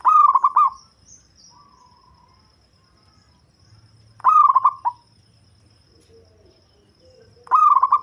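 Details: Zebra dove of a local type, prized for a deep, bass voice and used to lure other birds, repeating a rolling, stuttering coo three times about every three and a half seconds; softer doves coo faintly between.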